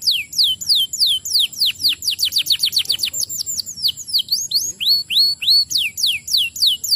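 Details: Canary song played to encourage other canaries to sing; continuous rapid high whistles, mostly falling slurs, delivered in quick even repetition throughout.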